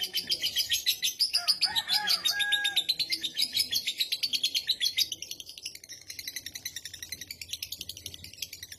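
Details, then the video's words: Lovebird in a long ngekek chatter meant to set other lovebirds chattering: rapid harsh high-pitched notes pulsing several times a second, with a few lower whistled squeaks early on and a softer, quicker run of notes in the final seconds. "Lovebird ngekek panjang ampuh bikin Lovebird lain ikut ngekek"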